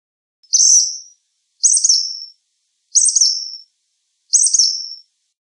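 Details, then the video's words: Black phoebe singing: four high, buzzy, down-sweeping notes, each about half a second long, delivered roughly every 1.3 seconds against clean silence. "Black Phoebe Song! Black Phoebe Call! Black Phoebe Sound! - Mosquero Negro Canto"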